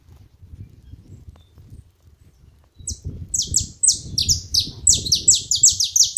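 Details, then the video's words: Saffron finches gathered together: after three quiet seconds of low rumble, a dense burst of high, sharp, downslurred chips begins and grows busier, with overlapping birds calling rapidly. "Canarinhos da terra junto fazendo barulho"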